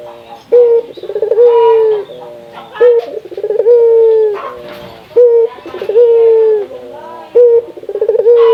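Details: Local Indonesian spotted dove (puter) calling to stimulate other doves: repeated phrases of a brief note, a stuttering run and a long falling coo, about every two seconds with faint background noise.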